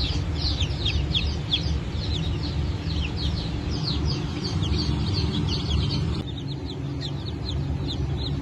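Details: Chickens of the Brahma, Fizan, Sultan and Appenzeller breeds, hatched 9 May 2024. Separate high, sharply falling peeps come several per second over heavy low rumbling noise.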